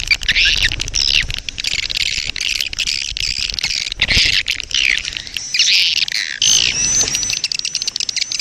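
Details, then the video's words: Lure recording of a swiftlet breeding colony ('koloni birahi') to attract swiftlets; high buzzy twitter bursts separated by short breaks, with a thin rising whistle near the end. "SP KOLONI BIRAHI... suara responya mantab memikat burung walet"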